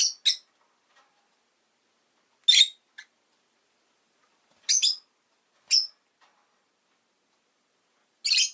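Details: Rosy-faced lovebird calling with sharp, piercing, high chirps, given singly or in quick pairs at irregular gaps of one to three seconds against a silent background.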